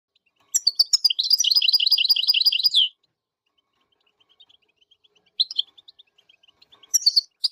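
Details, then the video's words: Goldfinch song: a fast, high, tinkling twitter for about two seconds, then quieter scattered chirps and two shorter bright bursts. "Melodies of Nature's Songbird The Goldfinch"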